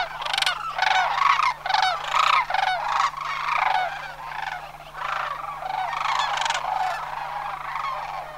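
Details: Sandhill cranes in Homer, autumn migration 2009, flock calling. Sharp rattling bugles come in rapid clusters, loudest early, then a steadier murmur of overlapping trilled calls.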